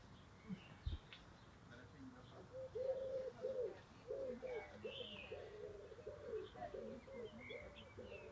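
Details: A German Vorwerk hen sunbathing on a sunny day in Denmark murmurs a run of low, soft notes, about two each second, while small birds chirp higher up and people talk in the distance.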